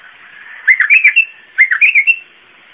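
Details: Iraqi bulbul delivering zamli-style song: two matching rich, gurgling phrases, each of several fast warbled notes ending on a higher clear note, repeated about a second apart.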